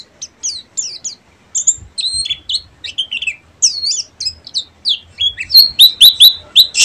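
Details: High-pitched ngeriwik song from a buxtomi Oriental white-eye, clean and loud, with sweeping whistled slurs and chirps that speed into a brisk burst of rapid sharp notes at the close.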